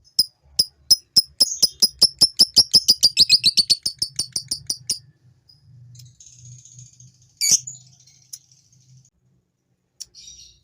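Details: Male fighter lovebird giving ngekek, a long chatter meant to stir females into chattering too; a fast series of high dry notes speeding up over five seconds, then a few scattered squeaks and a louder screech after a pause.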